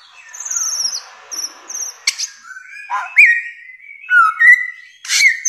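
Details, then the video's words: Thin, high, level whistles repeat three times, then the bare-throated whistler (samyong) gives rich looping whistles and a sharp burst near the end. "masteran samyong 1001 suara durasi panjang"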